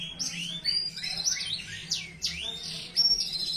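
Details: Canary singing a rich, fast song of high whistled sweeps and trills, notes sliding down and up in quick succession with brief pure high whistles, continuous throughout.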